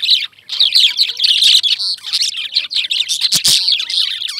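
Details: A steady, loud chatter of lovebirds: scratchy high chirps run almost without pause, with wavering whistled notes toward the end and two sharp clicks.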